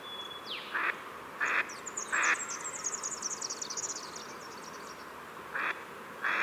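Pacific black duck giving harsh, broad quacks at irregular intervals, about five in six seconds, with a high twittering small bird chattering in the background.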